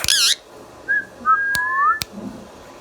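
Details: Pet Indian ringneck parakeet, a talking bird: one loud harsh squawk opens the recording, followed by a few thin whistled notes, some rising, and a couple of sharp clicks.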